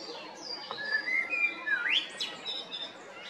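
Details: Male common blackbird in spring song at Jarun or Prečko, Zagreb, Croatia, 2022: a fluty, falling-and-rising whistled phrase that ends in a sharp upward sweep and a thin, high twitter, over low steady background noise.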